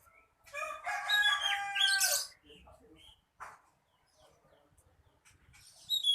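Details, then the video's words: Male kacer, the Oriental magpie-robin, delivering a long raspy, harmonic-rich churring phrase lasting about two seconds, then soft low notes, a single short murmur and a final shrill high note. "Burung kacer"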